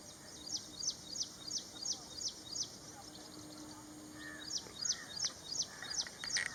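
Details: Ashy prinia, bright repeated high notes, each sliding downward, given about three per second in a long even series that pauses briefly and resumes, with a low hum behind.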